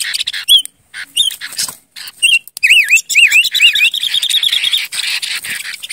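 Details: Silver-eared mesia song: isolated clear whistles at first, then a flowing series of looping, wavy notes ending in a rapid even trill, with soft background chatter.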